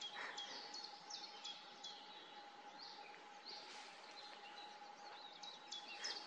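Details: Long-tailed tits, a pair building their nest at the edge of the Siemianówka reservoir, filmed from a distance; thin high calls and short trills repeated irregularly over a steady low hum.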